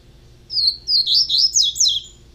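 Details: Young double-collared seedeater, a captive-bred bird, giving a quick sequence of five high, thin, down-slurred whistled phrases, clear against a quiet background.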